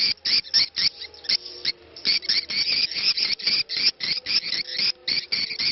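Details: Swiftlet "ceklok" call recording used to attract swiftlets: rapid, dry, buzzy chirps, about four a second in uneven bursts, with a faint call to prayer (adzan) heard underneath as a low tonal voice.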